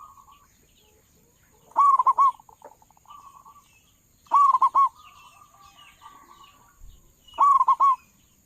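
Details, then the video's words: Big-voiced local zebra dove used as a trapping lure, delivering three loud, rapid bursts of bubbling coos at about 2.5-second intervals, linked by softer, even cooing notes. "perkutut lokal suara besar cocok buat para pemikat burung perkutut"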